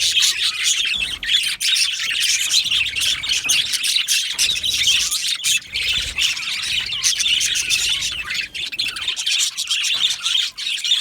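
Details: Yellow male budgerigars in an aviary colony chatter nonstop, a dense mix of high warbles, chirps and scratchy squawks with brief sharp clicks, many birds calling at once throughout.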